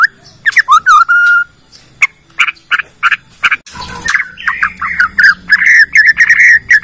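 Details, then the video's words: Bornean white-rumped shama singing a lure song that draws other shamas into song and shows off its full repertoire. Varied whistled and chattering phrases near mid pitch, with a long fluted note, then a brief harsh noise burst and rapid rising whistles. "PANCINGAN MURAI BORNEO BONGKAR ISIAN,, MEMANCING MURAI LAIN JADI BUNYI"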